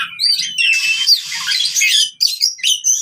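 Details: Short burst of fighting-style oriental magpie-robin song, aimed at birds that no longer sing: bright varied whistles and chirps, then a harsh buzzy stretch, then clipped high notes.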